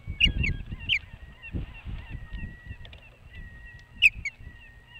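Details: Osprey at a nest atop a boat house across the water from Hog Island, Maine; sharp high whistled chirps in short bursts over low rumbling background noise.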